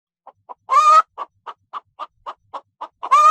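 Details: Domestic chicken in a henhouse giving a steady run of short, low clucks about every quarter second, broken at the start and end by two longer, harsh, rising squawks.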